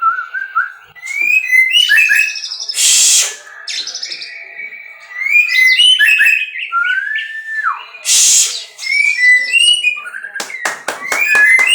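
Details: Captive white-rumped shama from a breeding setup singing a varied song of clear whistled notes and slurred phrases, broken by two loud harsh bursts and a run of sharp clicks near the end.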